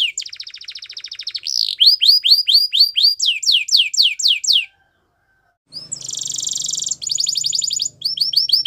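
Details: Canary singing, meant for training: a rattling trill, then strong repeated falling whistles, a short pause, and a loud buzzy roll with fast high chirps, some low hum underneath.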